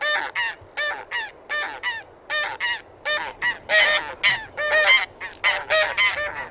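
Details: Taiga bean geese (Anser fabalis) giving a steady stream of nasal, reedy honks, short clipped notes alternating with longer ones, several voices overlapping and growing busier toward the end.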